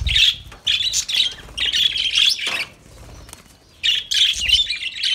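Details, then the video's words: Busy lovebird twittering: strings of high, buzzy chirps and squeaks in quick runs, a long lull in the middle, then the chatter resumes. "Lovebirds Sounds Lovebirds Singing"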